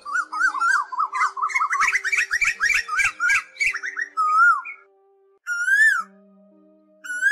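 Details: Asian koel (Eudynamys scolopaceus), possibly male and female, used as a lure for night-net trapping of migrating birds in August 2024: rapid bubbling whistled notes, then several loud clear rising whistles, over faint electronic hum.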